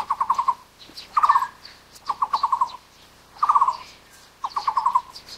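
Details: Taiwan barbet, endemic to Taiwan and living in low to mid-elevation broadleaf woods, calling in five short, low, hollow trills of rapid pulses, one roughly each second, with faint other birds behind.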